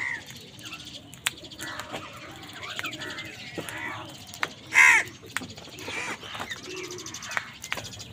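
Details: A single sharp, loud caw rises out of a busy background of faint chirps and clicks as angry crows compete with other wild birds for food.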